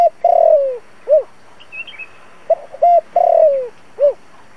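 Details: Spotted dove cooing as a lure to bring wild doves in for trapping. Two phrases, each a flat hoot, a long trembling descending coo and a rounded final note, with soft chirps in the pause between them.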